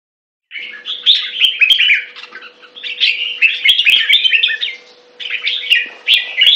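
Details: Red-whiskered bulbul (jambul) singing: bursts of bright, chattering warbled phrases with quick rising and falling notes, separated by short pauses, plus a steady faint low hum underneath.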